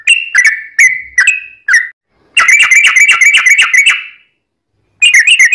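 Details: Sooty-headed bulbul in full song, used as a lure so other birds reply; a few separate slurred whistles, a pause, then a fast rattling run of bright notes, silence, and another quick burst at the end.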